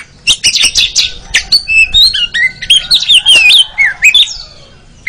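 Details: Oriental magpie-robin training song for contest birds: dense chattering bursts at first, then a sequence of varied whistled phrases swooping up and down.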